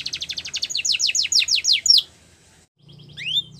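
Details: Quick ticking trill then faster downward sweeps from a canary, a pause, and a soft rising whistle with a low hum behind.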